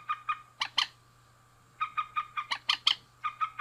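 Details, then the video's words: Male and female rail: evenly spaced, sharp, squawky notes, a quiet gap, then a faster run of harsh notes rising in intensity. "Suara Burung Mandar Jantan dan Betina"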